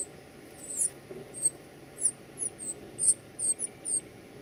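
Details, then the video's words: Young birds being fed utter scattered, very high thin squeaks, some swooping downward, about two per second after a brief pause at the start, with low room noise beneath. "feeding baby birds"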